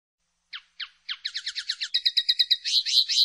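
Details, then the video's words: Common linnet starting with a few separate downslurred chirps, then accelerating into a rapid twittering series of high, metallic notes that ends in buzzier warbling. "El Canto del Pardillo"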